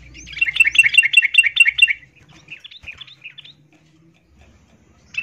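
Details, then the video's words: Yellow-vented bulbul, a female in breeding condition, calls to a male with a two-second burst of bright, rapid chirps, followed by a few softer scattered notes and a final loud blip. "Trucuk Betina memanggil jantan"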